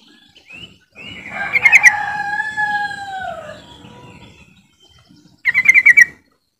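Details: Yellow-vented bulbul call used to set silent birds singing: a long slurred warbling phrase with a few bubbly notes, a pause, then a quick rattling burst of six notes.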